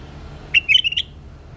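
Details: Bulbul giving a brief burst of clear whistled notes, four quick slurred phrases in well under a second, over a quiet low hum.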